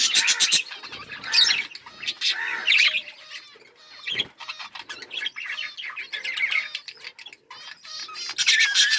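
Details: A group of budgerigars kept as pets chirps and sings, producing a lively stream of high warbled phrases, harsh squawks and clicks, with brief quieter gaps and a loud chattering burst at the close.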